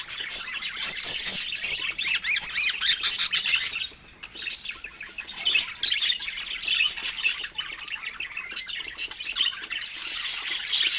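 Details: Pet budgerigars eating fruit keep up continuous warbling chatter, mixing clicky chirps, rasping notes and brief high whistles, with a short lull around four seconds.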